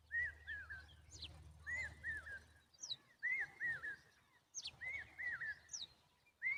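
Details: Common babbler guarding its young with loud repeated phrases of two or three wavering whistled notes, about five bursts in under seven seconds. Sharp high downslurred notes accompany several bursts, over low background rumble.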